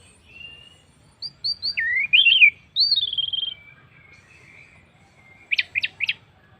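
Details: Orange-headed thrush song meant to make other birds sing: three short high notes, a twisting loud phrase, a falling warble, then after a pause three sharp quick notes.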